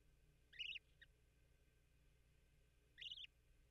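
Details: A newly hatched Bermuda petrel (cahow) chick in its nest beside its father, peeping to signal hunger before its first feeding, gives two short, high, thin peeps about two and a half seconds apart, over a faint low hum.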